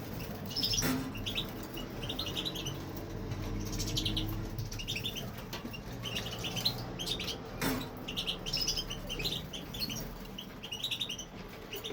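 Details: European goldfinch, a male kept in an aviary, singing: bursts of short bright twittering notes at roughly regular intervals, with soft rustling and occasional thumps in the background.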